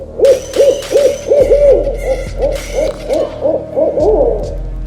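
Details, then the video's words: Owl hooting in a fast, steady series of short arched hoots, about a dozen in five seconds, each rising and falling, over a low continuous drone and faint higher tones in the background. "Som da Coruja - Sons da Coruja"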